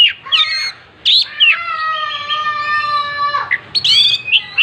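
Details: Oriental magpie-robin spreading its tail while singing: sharp chirps open and close a long nasal, drawn-out mewing note that slowly falls in pitch.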